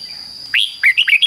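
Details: Short doubled 'fik-jik-fok' phrase from a caged red-whiskered bulbul for training young birds: one upward whistle, a pause, then four quick bright slurred notes, over a steady thin high tone.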